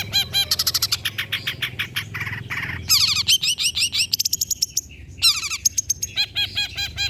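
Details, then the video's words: Long-tailed shrike singing, a recording meant to stimulate quiet birds to sing: fast series of scratchy, buzzy trills and rattles with brief high whistled notes between them, constant low hum beneath. "PANCINGAN CENDET SUSAH BUNYII, DIJAMIN GACOR DENGAR SUARA CENDET INI"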